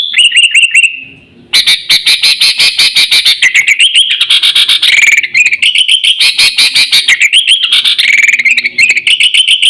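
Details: Sooty-headed bulbul lure call for attracting wild birds and tutoring pet birds: dense, rapid run of bright chattering notes, with short repeated warbled phrases and clicks overlapping throughout, after a brief rising whistle at the start.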